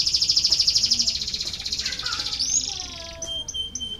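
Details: Canary song played to encourage lazy canaries to sing: a fast, evenly pulsed high trill that fades slowly, followed by short whistled notes and thin tones.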